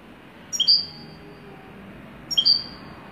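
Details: Two clear, high double chirps from a wedani-type European goldfinch, about two seconds apart, each a bright note dropping to a lower one, over gentle background hiss.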